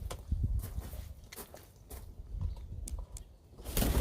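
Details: Scattered footsteps and soft knocks outdoors, with a low rumble and a louder scrape at the end; no animal voice.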